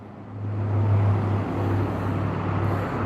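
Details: Outdoor patio with a steady hum of passing traffic and a low engine drone, with no animal sounds.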